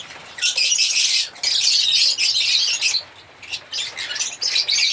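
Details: African lovebirds singing and chirping: dense, shrill high chirps and squawks in overlapping bursts, nearly continuous with brief lulls around the middle and a busy chatter of several birds.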